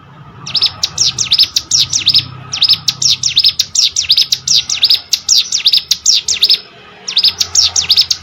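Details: Hill prinia, tutor song for competition birds: phrases of rapid, high, metallic down-up chirps separated by brief pauses, sharp and evenly spaced.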